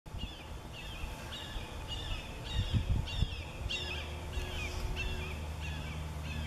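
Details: Red-shouldered hawk, a parent calling from above its juvenile young that have not yet made their first flight, above Bonsall: a steady series of about a dozen high, slurred, downward kee-ah notes, roughly two per second, over low wind or traffic rumble.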